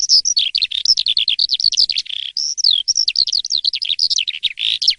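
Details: Asian pied starling singing in the morning, a lively gacor, ngeplong song: a dense, unbroken run of varied high whistles and slurred notes with short chattery bursts, almost no pauses, no other sounds.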